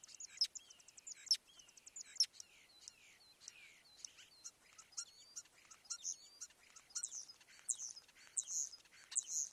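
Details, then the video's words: A starling at MPG Ranch sings a rambling medley of thin slurred whistles, squeaky clicks and buzzy rattles, several notes per second, mostly high-pitched, with light background noise. "Starling singing"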